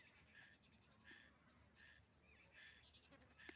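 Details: Black francolin calling: harsh, grating paired notes given in short bursts roughly every 0.7 seconds, fairly steady in pitch, over a constant low rumbling background.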